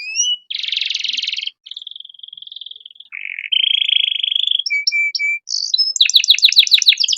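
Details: Canary master song used to train young songbirds: a buzzy roll, a steady high trill, a lower rattling trill, clipped whistles, then rapid falling notes.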